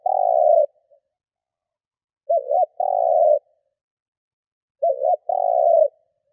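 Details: Spotted dove kept as a lure for wild doves, cooing steadily: three low phrases about two and a half seconds apart, each a quick double hoot followed by a long mellow rolling coo, no other sounds.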